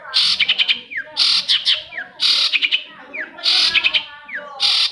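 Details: Long-tailed shrike song used as a lure for silent shrikes: scratchy, buzzy bursts of rapid notes, each ending in a quick downward slur, repeated about every second.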